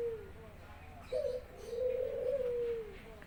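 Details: Barbary dove kept at home, singing as its owner comes back from work: a quick short note, a brief gap, then a long low purring coo that trails downward, in a quiet indoor setting.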